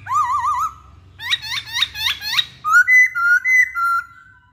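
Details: Masked laughingthrush (Poksay Hongkong) singing energetically: first a wavering, trilled whistle, then four quick upswept notes in a rhythmic series, then bright level whistles alternating between two pitches. A faint low hum sits underneath.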